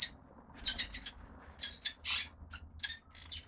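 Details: Brood of five young female red-rumped parrots, lutino and pied-dilute, in the nest: bursts of high, scratchy squeaking chirps in quick clusters, with short gaps between groups and a faint low hum underneath.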